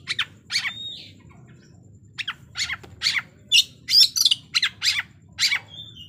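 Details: Oriental magpie-robin in aggressive song intended to stir up a rival. Harsh, high chattering bursts come after a pause, with one drawn-out falling whistle near the start and a thin whistle at the end.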